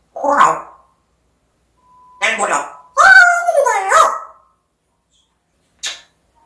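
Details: African grey parrot talking indoors: an isolated squawk, a few breathy syllables, then a longer stretch of human-like words with bending pitch, and a final short click.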